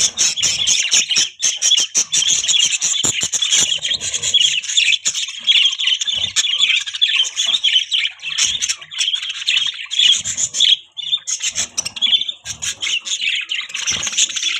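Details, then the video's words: Budgerigars chirping: a steady, unbroken flow of buzzy warbles, clicks and squawks from the flock, with brief dips in loudness. "Beautiful Budgies Chirping Sound"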